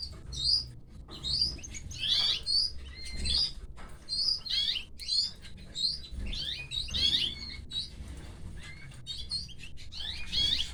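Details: Canary chicks fed by the mother, producing a long run of sharp, high-pitched chirps and squeals in pulsing bursts about every second, steady in loudness throughout.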